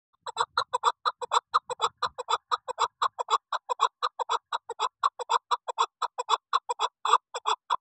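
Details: Female chukar partridge giving a long, fast run of clucking chuck notes, about two per second, each a short burst with strong harmonics, steady in loudness throughout, with a few soft low thumps early on.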